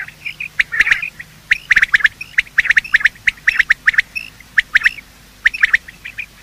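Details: Male and female quail giving the morning call, recorded for use in hunting: short, harsh chirping bursts in quick clusters, repeated irregularly about once a second against a quiet background with a faint low hum.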